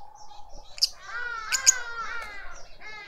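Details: Juvenile lovebird being fed by its family in a Pretoria suburban garden, South Africa: drawn-out, reedy, buzzy calls with stacked overtones run continuously, broken by a few short high ticks.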